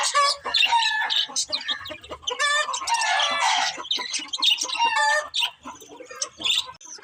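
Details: Pet budgerigars chirping and chattering in a dense, continuous stream of warbled, buzzy notes and short squeaks, several birds overlapping throughout.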